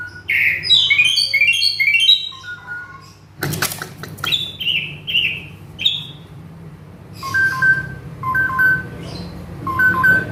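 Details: {'caption': 'Agitated male Asian pied starling singing a mimicry-rich song: clusters of rising whistled notes, a harsh broadband burst near mid-phrase, then ringing pure whistles repeated in short bursts.'}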